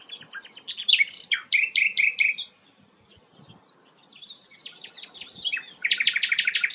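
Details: Active song of a sikatan londo flycatcher, prized for its melodious voice: dense high chatter and rapid repeated notes, a lull of faint twitters, then a loud fast buzzy trill at the end.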